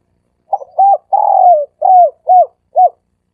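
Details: A lure call of a dove in the three-coo style: a stuttered opening note, one long, gently falling coo, then three shorter arched coos at an even pace. The recording is clean with no other sounds.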